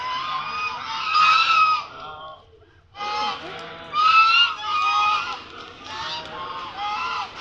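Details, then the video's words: A group of ducks making loud noise: many overlapping, harsh, nasal honking calls in dense bursts. A short lull comes near the middle before the calling resumes. "ducks are creating loud noise"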